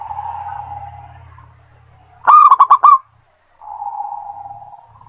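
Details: A local zebra dove, kept as a lure bird, sings a soft, rolling coo, then about five loud, quick staccato notes, a brief pause, and another low purring trill.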